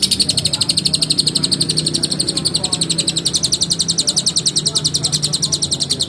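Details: Lovebird giving an extended ngekek chatter: a dense, even stream of high, grating notes rolling on for six seconds with barely a break. Quiet low background hum.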